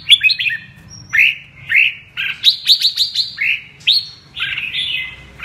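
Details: A 'mơ' red-whiskered bulbul sings in the double-voice (giọng kép) style, with cheerful whistled phrases of rising and falling notes, some rapid chattering bursts, and brief gaps between phrases.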